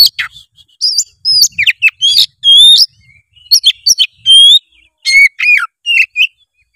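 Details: White-rumped shama singing energetically, meant to stimulate a lazy young bird to sing; rapid varied phrases of clear up-slurred whistles, buzzy notes and loud chatters separated by brief gaps.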